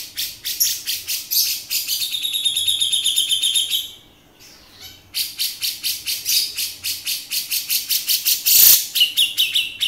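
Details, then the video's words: Beset-style song of a male grey-cheeked bulbul: rapid rasping buzzy bursts, a drawn-out whistled phrase early on, a brief silence, then more harsh chatter ending in a short whistle. "Cucak Jenggot Jantan Beset"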